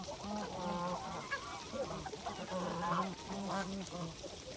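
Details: Several geese on a farm honk while feeding, giving low, steady nasal honks that follow one another almost without a break, with overlapping voices throughout.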